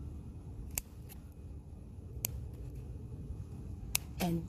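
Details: Sharp scissor-like clicks snap at intervals over a low indoor hum, with a brief murmur at the end and no animal voice.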